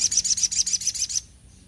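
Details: Sogok ontong singing a rapid series of high, clipped, evenly spaced notes, about eight per second, for just over a second before stopping abruptly. Quiet low background hum.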